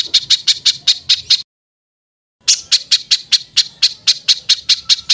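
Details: Repeated harsh bird notes from a compilation of 'tembakan kasar' tutor calls for cage songbirds: a run of sharp raspy high notes, a silent gap of about one second, then the series resumes steadily.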